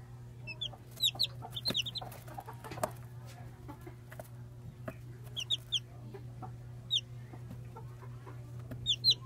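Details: Day-old chicks giving sparse, thin descending cheeps in short pairs and triplets, quieter against a noisy background with a low hum and occasional knocks.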